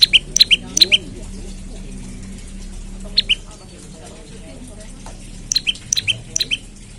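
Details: Morning calls of an olive-backed tailorbird used as a lure to set other tailorbirds singing: high, sharp, chipping notes in quick bursts of three or four, with a pause mid-clip, over faint low background noise.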